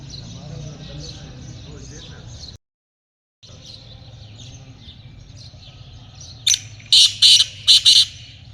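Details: Black francolin, in a hunting setting, calling near the end after a stretch of faint high twittering from other birds and a short silent break: a few loud, harsh, grating bursts in quick succession.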